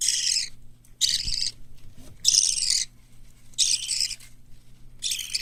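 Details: Young chicks of white lovebird, cockatiel and budgerigar, growing well and being readied for hand-taming, in a room in Japan: harsh, raspy, hissing cries of about half a second, repeated roughly every second, with faint rustling between.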